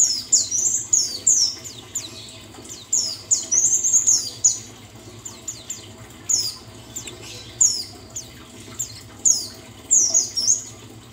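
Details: White-eye of the buxtoni type, played as a therapy sound to get a bird singing again: bursts of very high, rapid twittering notes in short chattering phrases, repeated every second or two over a faint steady low hum.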